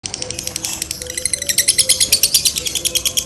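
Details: Lovebird in a doubled konslet-style song: dense, buzzy high chattering pulses repeating about three times per second, building louder through the middle, with a faint low hum underneath.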